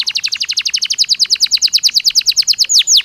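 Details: Naturally singing Belgian canary gives a steady rapid trill of about twenty repeated high notes, finishing with two longer downward sweeps.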